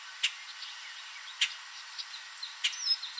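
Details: Common Grackle calling from a perch in a tree in a Southern Ontario backyard late in the evening: three loud, clipped chips over a few seconds, with soft high chirps from background birds.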